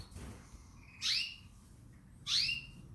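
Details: Canary giving two loud, bright chirps about a second and a half apart, each a quick sweep falling from a sharp high note into a lower trailing tone, over a quiet low hum.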